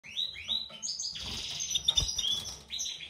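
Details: European goldfinch from a mutation breeding pair, a white-throated male and a classic female, kept in captivity; short rising chirps, then a dense twittering run of high notes with clicks and some cage noise in the background.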